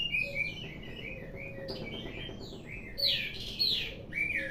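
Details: Ringed orange-headed thrush in captivity, singing softer rambling whistles and twitters that build into louder, sliding descending phrases near the end, over a low background hum.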